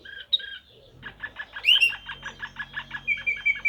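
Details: Serbian blue canary singing in the Slavujar style: a few clear notes, a sharp high whistle, then a fast regular series of clipped repeated syllables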